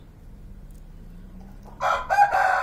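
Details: Hand-tamed pet black francolin (kala teetar) from Pakistan: after near silence, a loud, harsh, grating call bursts out over the last second, broken into three rapid raspy pulses with rich overtones.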